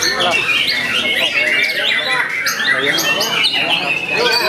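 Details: Young caged white-rumped shama singing hard: clear repeated upswept whistles and rapid chattering phrases, mixed with lower curved harmonic tones, possibly voices, in a busy setting.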